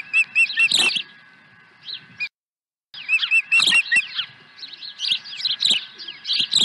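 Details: Osprey swooping to the nest with a second fish, Dunrovin Ranch, 23 April 2020: short runs of clear, high chirping whistles mixed with loud rustling and thumping bursts, with a brief gap of silence.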